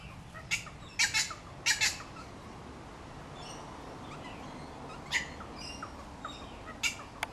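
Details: Wattlebirds near their backyard nest, about two metres behind the recorder, mob an unwanted kookaburra with harsh, raspy squawks in short bursts, some doubled, at irregular intervals over a steady hiss.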